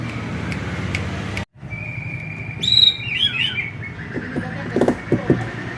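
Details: Male white-rumped shama singing at home: a long steady whistled note, then quick rising and falling warbled phrases, with clicks and knocking sounds in the background over a low hum.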